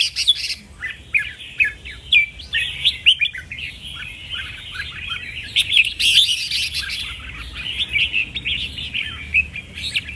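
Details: Red-whiskered bulbul kept as a caged songbird, singing a dense run of short, bright, chirping and whistled notes with quick rising and falling slurs, almost continuous for ten seconds, with no other clear sounds.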